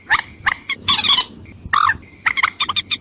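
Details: Watercock lure call, used to draw in both females and males. Loud, harsh clucking bursts come in quick irregular clusters, with a thin steady whistle-like tone underneath and a low background hum.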